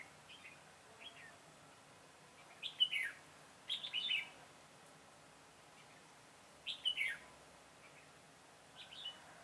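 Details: Red-whiskered bulbul singing as a trapping decoy on 22 September 2017; three loud bursts of rapid, slurred whistled notes spaced a few seconds apart, with soft distant chirps in the gaps.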